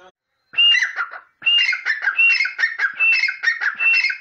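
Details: Grey francolin (teetar), not caged, calling loudly. After a short silence, harsh ringing phrases repeat rapidly and rhythmically, each a sharp rising note then grating syllables, about five phrases in close succession with no other clear sounds.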